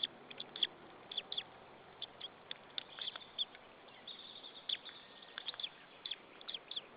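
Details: Begging white-tailed eagle nestling, Saunja nest, Estonia, 26 April 2013 at 14:37, before feeding: clusters of shrill high chirps with short pauses, a few louder notes, low background hiss.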